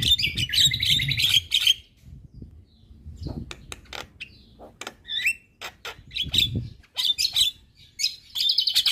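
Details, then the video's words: Agitated song of a Javan myna directed at neighbouring mynas: a dense buzzy burst, then a pause with sparse clicks, then more rasping, warbling phrases. "Burung Jalak Kebo Gacor Parah Bikin Emosi Jalak Tetangga"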